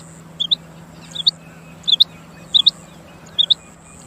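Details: Female quail giving crisp double chirps, two quick high notes per burst, repeated roughly every 0.7 seconds at an even pace over a constant low hum.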